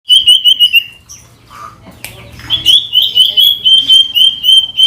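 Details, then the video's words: Ashy tailorbird (sirtu) singing actively, used as a lure to make a silent common iora sing: a fast, quavering trill that repeats several times, then a pause with a short low note, then a long steady warbling trill. "Sirtu Gacor Dor"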